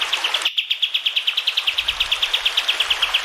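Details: Sooty-headed bulbul, a clear tutor recording for training caged birds. Bright, evenly spaced chirps come in a steady rapid series, about three a second, against the rushing sound of running water.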